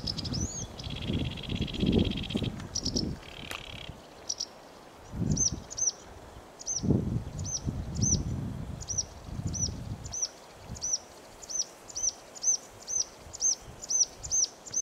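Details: Sedge warbler song opens with a dry buzzy churr, then a long series of sharp, upslurred high notes that repeat steadily and quicken toward the end, with low thumping noise underneath.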